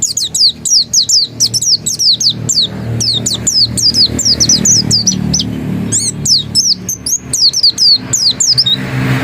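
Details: Oriental white-eye, locally pleci dakun, singing hard in ngotot style: a long rapid series of thin high whistled downslurs with a faint low hum underneath.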